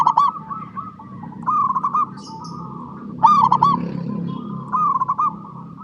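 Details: Local zebra dove song for luring other perkutut to sing; short bubbling, rapid coo bursts repeat every one to two seconds above a low background hum and faint cooing.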